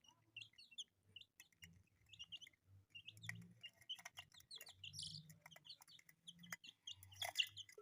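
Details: A group of colourful pet chicks peeps steadily, each note a quick high chirp, building into a busier chorus toward the end with faint low hum beneath.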